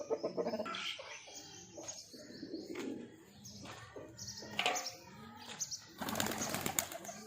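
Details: Pigeons of a breeding pair give low, soft cooing phrases around the middle of the recording. Sharp chirps from other birds are mixed in, and a burst of wing flapping follows near the end.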